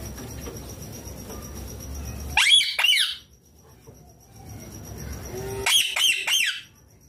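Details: Pet ringneck green parrot munching chilli screeches in two loud bursts of rapid, piercing, ragged notes separated by a few seconds of near quiet.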